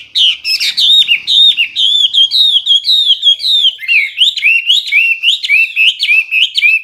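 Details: Hwamei in clear, loud song: a long sequence of looping, hooked whistles delivered roughly two per second, varying slightly in pitch and shape, with no other sounds.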